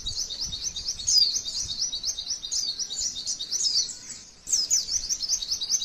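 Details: Female white-eye training song with long rapid 'tembakan' bursts: a dense, fast chatter of high buzzy notes, with sharp downslurred whistles breaking through. A short pause comes near four seconds, then the rapid run resumes.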